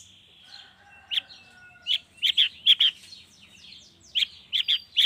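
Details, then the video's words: Long-tailed shrike lure sound recorded in the morning, used to prompt shrikes to sing: short sharp high notes in scattered bursts, some in quick pairs, over faint lower whistled tones in the background. "suara pancingan cendet cendet di pagi hari YANG BIKIN CENDET MACET sekalipun IKUTAN BUNYI toet toet"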